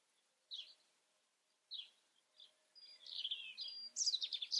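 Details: European robin starting with a few separate high, thin notes spaced about a second apart, then breaking into a fast, sweet, jumbled warbling phrase that climbs and ends in rapid high trills.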